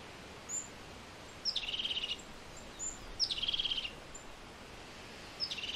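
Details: European crested tit giving three calls, each a thin high note then a rapid purring, rattled trill, roughly two seconds apart, with faint other high chirps over a soft background hiss.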